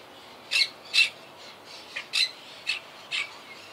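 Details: Wild Quaker (monk) parakeet colony high in trees, regrouping after hurricane Irma: short grating squawks repeated about every half second in an uneven series of six notes.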